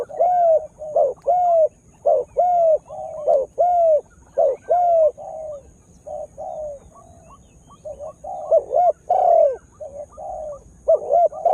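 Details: Lure spotted dove, newly in full voice, calling to stir up wild birds: a steady run of loud, throaty coos, each a bent, slightly falling note with a brief rising lead-in, delivered in quick succession, a quieter patch midway.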